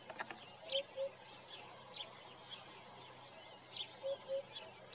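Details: Morning hoopoe song captured on a Nikon Coolpix P1000: mellow low hoots in pairs, 'oop-oop', repeated twice, with high sharp chirps from other birds scattered between them.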